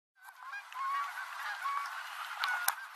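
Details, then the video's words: Canada geese honking as they spiral down to land at the end of the day on the Rogue River, Oregon; a flock's overlapping nasal honks, with a few sharp clicks near the end, recorded while riding a bicycle on a dirt road. "Canada Geese on the Rogue River, Oregon"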